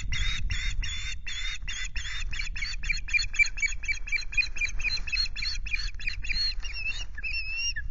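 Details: Osprey at RSPB Loch Garten, Scotland, recorded on 26 May by the nest camera: a long run of rapid, clipped chirps that shift into a few drawn-out, wavering whistled notes at the close, with soft wind in the background.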